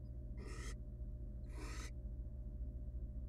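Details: Wild barn owl nestling begging in a research nest box while its mother feeds it a rodent: two broad, breathy hissing screeches about a second apart over a constant low hum.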